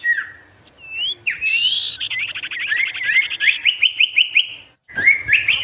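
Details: Sirtu in full-variation song for luring rival wild birds: low slurred whistles, a rising hooked note, then a rapid run of many short upswept chips, a brief pause and more chips.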